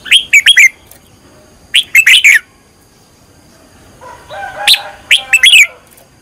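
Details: Red-whiskered bulbul being trained as a decoy bird, producing three clusters of sharp, quick chirped notes with a quiet stretch and a soft lower warble between them.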